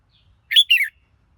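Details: A red-whiskered bulbul gives a brisk two-part whistled phrase, the first note rising and the second sliding down, against a quiet background.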